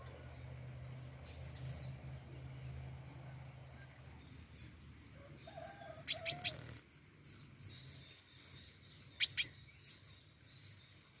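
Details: Flowerpecker in active song: scattered very high, thin ticks building to bursts of sharp paired chips, with a brief low tone and a low hum early on.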